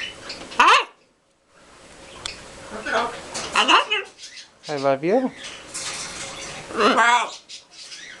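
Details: A pair of green-winged macaws and a baby talk together in raspy, wavering, speech-like phrases such as hi, hello, good boy and I love you, mixed with short harsh squawks, in a small echoing indoor space.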